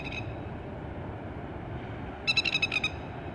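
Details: Plovers attacking on Tuross Head beach give a quick burst of about six sharp, ringing, high notes in under a second, over steady surf and wind noise.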